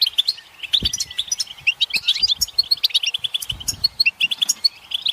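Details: Collective twittering of European goldfinches, mating and readiness calls that draw silent males into song; dense bright chirps and tinkling trills from many birds, with a couple of soft low thuds.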